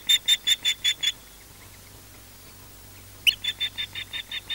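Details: An osprey at a Loch Garten nest in Scotland gives an alarm while defending the nest: a rapid series of six shrill, whistled notes, a pause, then another quick burst of piercing repeated calls.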